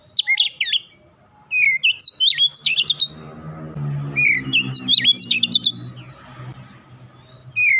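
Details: Oriental magpie-robin song in the dense 'nembak rapat' style, played as therapy to make an untrained bird sing fast: bursts of sharp rising and falling whistles and rapid clipped notes, a pause, then a long busy run, over a low hum.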